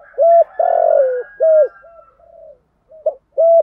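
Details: Spotted dove kept as a lure bird, cooing to provoke wild doves into answering and fighting. Loud, hollow, mid-pitched coos, one long drawn-out slurred note among short ones, then softer low coos and a final strong coo.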